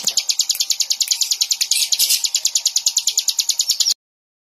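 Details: Bar-winged prinia giving a quick, regular string of high, clipped chirps, about three per second, ending abruptly before silence.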